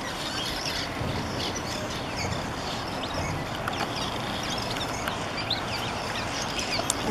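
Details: Hundreds of cliff swallows building mud nests in April in Redding, California, give a constant overlapping chatter of short, squeaky chirps over a steady low rumble of background noise.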